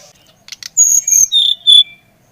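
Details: Brown-chested jungle flycatcher from Bali, used to prompt another bird to sing: a few soft clicks, then four loud whistled notes falling step by step.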